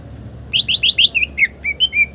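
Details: Singing Green leafbird with rich varied song content, used as a lure and tutor: a fast run of four buzzy rolling notes, then several clear slurred whistles, all high and bright over a low hum.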